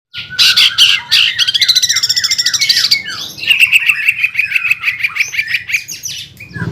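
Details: Greater green leafbird (cucak ijo) singing in an energetic gacor style with nembak and ngeroll phrasing: bright slurred whistles, rapid buzzy trills and a run of repeated downslurred notes, then quick rolling chatter.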